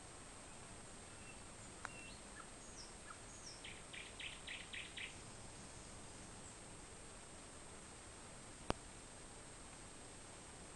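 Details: Nightingale singing late on a Thursday night in June at Lamøya, Kaupang, outside Larvik, Norway: a burst of about six rapid, evenly repeated hard notes, preceded by a few thin whistles, set against a steady background hiss.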